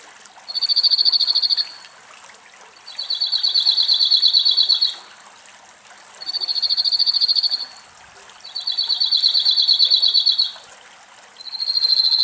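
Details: A cirl bunting, recorded in a forest in Greece, sings a dry, rattling trill on one high pitch, each lasting one to two seconds and repeated after short pauses, over a faint background hiss.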